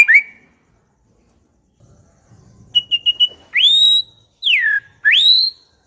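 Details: White-rumped shama song used as a lure to make shamas answer and sing: a brief whistled note, a quick series of four short notes, then three loud whistled sweeps rising, falling and rising again.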